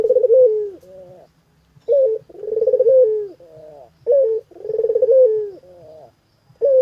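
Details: Puter collared dove giving repeated coos about every two seconds, each a short clipped opening note followed by a rolling, pulsing coo that falls away, low and mellow, with no other sounds.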